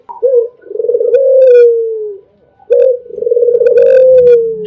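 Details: Albino spotted dove repeating its sweet song twice: quick coo, vibrating pulsed roll, then a long steady note fading lower; faint low hum under the second phrase.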